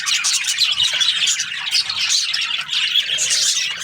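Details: Morning chirping from a group of budgies, dense squeaky warbles and harsh little squawks pulsing in quick waves.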